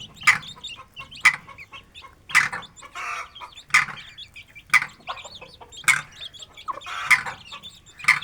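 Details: Free-ranging Aseel hen and chicks feeding in a village yard; steady high chirps from the chicks over sharp pecking clicks that recur about once a second.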